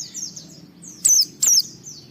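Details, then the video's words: Brief white-eye song for prompting other white-eyes to sing: soft high slurred notes followed by two loud, sharp descending whistles, with low hum beneath. "Suara Burung Pleci ini Raja Menggoda Semua Pleci cepat Ngalas Ngeplong Gacor"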